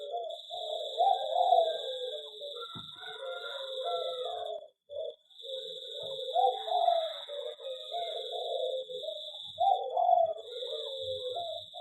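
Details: Zebra dove in an aviary cooing in rapid, trilling low phrases that follow one another almost continuously, over a continuous high-pitched background tone.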